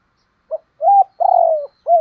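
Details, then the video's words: Spotted dove, Thổ đồng voice style contest bird, giving cu gù cooing: a short lead note, two rounded coos and one long hoarse drawn note, loud and close in a quiet setting. "tiếng cu gù và thúc bổi + gáy gọi hay"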